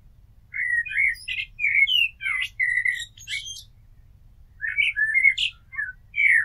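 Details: Rich, fluting blackbird warbles in quick succession, several rolling whistled notes followed by high twittery squeaks, a brief pause, then another burst of liquid phrases.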